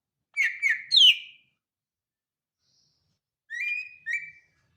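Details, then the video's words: Cucak ijo (Greater Green Leafbird), from a comparison of BWI, Kalimantan and Sumatran song: three quick clear whistled notes sliding downward, a pause, then two more level whistles, with a quiet background. "Perbedaan Kicau Cucak ijo BWI, Kalimantan dan Sumatera"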